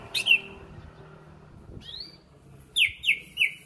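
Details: Berau greater green leafbird in contest preparation sings clear whistled phrases: an opening slur, a rising note, then three quick descending chirps close together, with steady low background noise.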